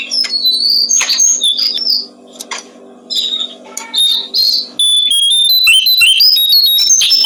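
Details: For training songbirds, a brown-streaked flycatcher delivers high sweet whistles and chattering bursts in short phrases, then a rapid string of crisp pure notes jumping up and down in pitch, with a low steady hum beneath.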